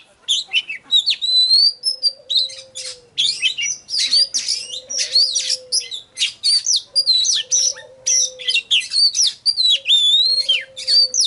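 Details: Oriental magpie-robin song used to spur singing and lure wild birds: loud, varied whistled phrases with sliding, rising and falling notes and chattering bursts. A lower, drawn-out hum-like sound recurs about every two seconds beneath.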